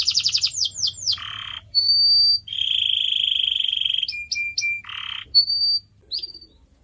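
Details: Canary song meant for training pet birds: quick falling notes give way to a coarse buzz, a pure held whistle, a long rattling trill, chirped notes and another low buzzy burst.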